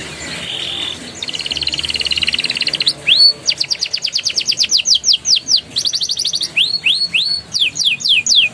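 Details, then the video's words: Canary rolling song used to prompt juveniles to sing: soft buzzy trills open, then loud rising whistled notes and rapid strings of sweeping notes. "PANCINGAN KENARI PAUD NGERIWIK NGEROLL GACOR EMOSI EFEKTIF UNTUK TERAPI KENARI MACET BUNYI"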